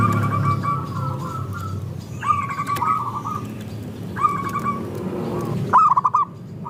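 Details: Group of local zebra doves, recorded as a lure to get other doves singing: repeated bubbling coo phrases of clipped notes, several birds overlapping, with a low rumbling background and a sharp final phrase.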